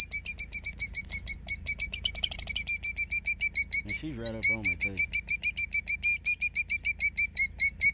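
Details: Female killdeer protecting her eggs, feigning injury as a person approaches: shrill, high, piercing notes about three per second in a steady, insistent series, with a man briefly talking midway.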